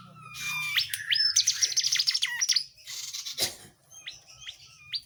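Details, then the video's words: Singing tledekan jati, a flowerpecker, recorded as a tutor song; a quick shrill twittering run, then a brief whooshing noise and a few spaced, sharp rising chirps over a low hum. "Tledean jati Gacor masteran ampuh buat murai batu,kacer, ijo dan kicauan lain"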